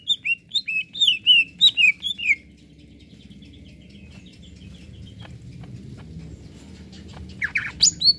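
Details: Greater green leafbird singing to stir up other birds: a quick run of whistled, falling notes lasting about two seconds, then quiet background noise and a few scratchy notes near the end.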